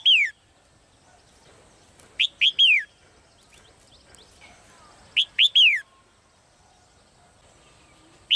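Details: Caged female bird giving bursts of three sharp, downward-sliding whistled notes, the bursts coming about every three seconds with quiet gaps between.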